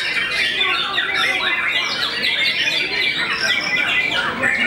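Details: Famous white-rumped shama that intimidates many opponents, delivering busy overlapping phrases of clear whistles, falling slurs and harsh chattering notes without any pause.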